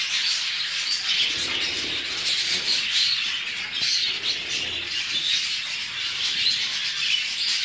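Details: Show jumbo budgerigars kept for breeding chatter continuously in a dense flock of warbling, chirping calls.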